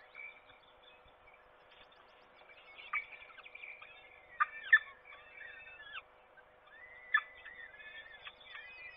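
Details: Peregrine falcon at a forest nest near Trzebież on 7 May 2022, during a feeding, its third breakfast of the day: harsh, harmonic squealing calls in short bursts, some with sharp downward sweeps, clustered near three, five and seven seconds over steady low hum.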